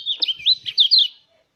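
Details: Short burst of mountain white-eye song meant to prompt other white-eyes to sing: quick, high, slurred warbling notes running together for about a second, then silence.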